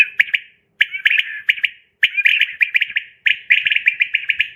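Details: A quail calls at night in quick bursts of sharp, liquid chirps, four to six notes per phrase, each phrase roughly a second apart, with no other sounds.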